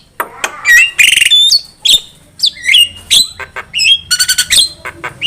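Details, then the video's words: Javan myna song intended to lure birds for trapping: varied mix of short whistles, harsh rasping buzzes and quick chips, loud and uneven, with a faint low hum behind. "Pancingan suara burung jalak kebo gacor masteran burung jalak kebo gacor"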